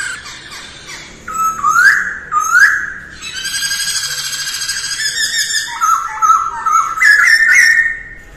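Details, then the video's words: Morning training song of a masked laughingthrush: two loud upslurred whistles, a long buzzy, textured passage, then stepped rising whistled notes ending in bright sustained calls. "Khướu hót luyện giọng mỗi ngày vào sáng sớm mái ro ro"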